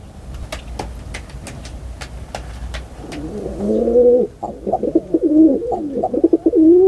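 Pigeon cooing: low, throaty, warbling coos roll on over the last three seconds, after a run of sharp clicking taps.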